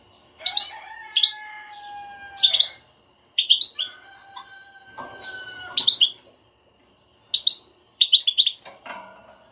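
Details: European goldfinch batbata, a stimulating twitter meant to make a silent kept goldfinch sing: lively chirp bursts repeat steadily, interleaved with long level whistled tones held for over a second.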